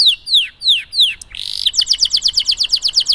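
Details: Singing canary, long song for training silent canaries: four separated descending whistles, a short buzzy burst, then a quick rattling trill of repeated high notes.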